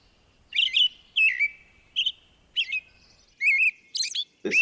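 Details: American robin dawn song, excited and hormone-driven singing as birds wake: about seven quick caroling phrases, mid-high, mixing whistled and thin squeaky notes roughly twice a second; a voice cuts in at the end.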